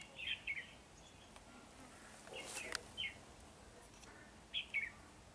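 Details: Red-whiskered bulbul, wings spread in a butterfly-like display, giving brief paired whistled notes at the start, middle and end, with a burst of rustling noise in between.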